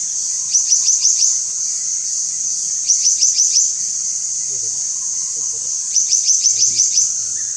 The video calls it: Black naped Monarch singing